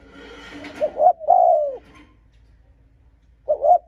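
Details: Spotted dove giving an aggressive coo to provoke and lure rival wild males: two quick clipped notes run into a long, sliding descending coo. The phrase starts again after a pause. Light background noise at the start.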